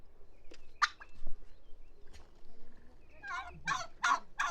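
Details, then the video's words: Turkey giving scattered rough gobble notes, with a denser cluster of rattling, throaty bursts toward the end and a low rumble underneath. "Turkey Sound – Hear the Funny & Unique Calls of This Amazing Bird!"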